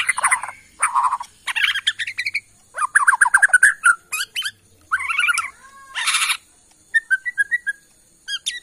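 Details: Kalimantan forest-origin Bornean white-rumped shama singing varied loud phrases of whistles, rattles and harsh bursts, followed by quieter spaced whistled notes.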